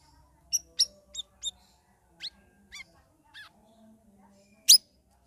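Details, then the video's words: Sooty-headed bulbul kept in a cage and trained three weeks in ombyokan group sessions, ngeriwik ngeplong style: sparse separate chips and short downward slurs, ending in one loud sharp note, quiet between. "CUCAK RAWIS NGERIWIK NGEPLONG"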